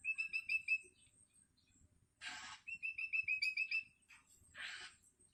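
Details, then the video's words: Hungry long-tailed shrike chick, still learning to sing, calls its parent with rapid strings of bright, clipped whistled notes, repeated four to eight at a time, broken up by harsh hissing rasps. "Suara anakan cendet"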